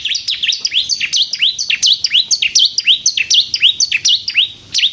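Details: Energetic bar-winged prinia of the 'kristal' kind, played to draw in and stir other prinias to sing; a rapid chain of high, down-then-up swooping chirps, each note snapping crisply, repeated about every half second without a break.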